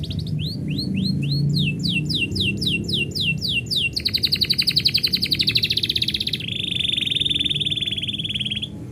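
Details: Canary song as the owner is about to leave: a run of swooping downward whistles, speeding up, followed by a rapid pulsing trill and a long smooth buzzy roll.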